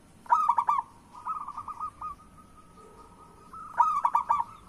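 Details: Zebra dove (local perkutut) lure song, played so that lazy or moulting doves start singing. Two loud bursts of quick cooing notes are separated by a softer rolling trill, against a quiet background.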